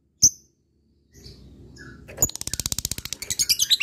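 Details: Lovebird of fighter type calling out to a rival: a sharp single squeak, soft rustling, then a quickening series of high, ticking chirps building into a rapid chatter.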